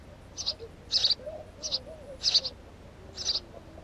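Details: House sparrow producing five loud, harsh chirps at uneven gaps of roughly half a second to a second, with faint soft tones underneath.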